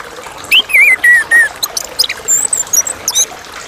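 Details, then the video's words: Chestnut-capped thrush (anis kembang) singing a clear song. It opens with slurred whistles, a bright upslurred note, then several falling and level mid-pitched whistles. These are followed by quicker, higher, varied thin whistles and sharp notes over a faint hiss. "Anis kembang / Geokichla interpres (suara jernih)"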